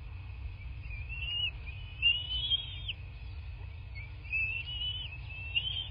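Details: Bald eagle calls from a nest in southwest Florida, recorded by nest cam on 8 March 2024 at 11:00: thin, high-pitched whistles that rise and wobble, given in two short runs with a steady background tone and low noise.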